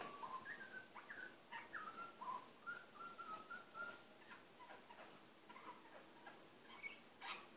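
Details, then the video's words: Male butcherbird kept as a pet, softly singing to himself: a meandering sequence of whistled notes, some falling, some rising, some held steady, with scattered short clicks and chirps and a brighter higher note near the end. "Bebe the butcherbird talking to himself"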